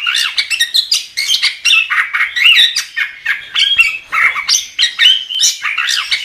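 A chestnut-capped thrush sings a fast, unbroken run of bright, varied whistles, chirps and harsher notes, packed closely together with no pauses.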